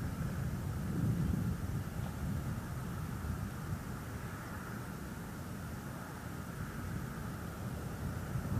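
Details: Steady low rumble of vehicle or aircraft engine noise throughout, with no animal voice heard.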